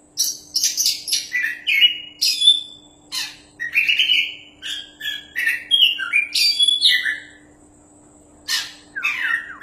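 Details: Oriental magpie-robin, a champion caged songster for training other birds, singing long fast sequences of high sharp notes, whistles and buzzy slurs in dense bursts, a brief pause, then more harsh and whistled notes over a low hum.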